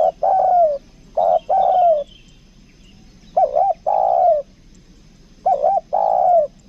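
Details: Caged spotted dove used as a lure, giving two-part coos: a brief warbled note, then a sustained downslurred coo, repeated at uneven gaps of about one to two seconds.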